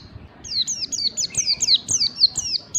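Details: White-eye song in ngalas bukpar style, meant for training caged birds. A quick, even run of about ten sharp, downslurred high whistles, each with a fainter lower echo note.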